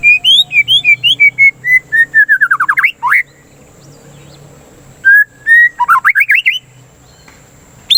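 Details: White-rumped shama song used as a lure to stimulate singing and as therapy against breeding excitement: rapid bursts of clear whistled notes, some rising and some falling, with a buzzy descending trill, then a pause and a second rising flurry.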